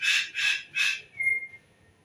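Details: A bird gives three loud, harsh, hissing bursts in quick succession, then a short, thin, steady whistled note that fades out; a quiet background.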